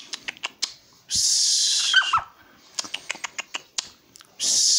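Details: A pet little owl chatting back with calls gives two long, harsh hissing screeches, one with a brief falling whistle, between bursts of dry clicking taps.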